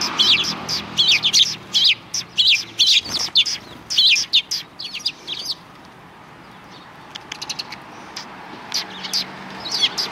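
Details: Sparrows beside the road in front of a Tenmangu shrine, recorded 13 December 2019: loud clustered chirping for the first five seconds, then softer, sparser tweets over faint background noise.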